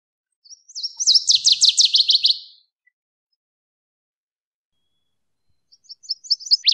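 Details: Northern waterthrush song in nature: a brisk phrase that begins with a few thin notes and swells into loud, sharply down-slurred repeated syllables, then a new phrase begins after a silence.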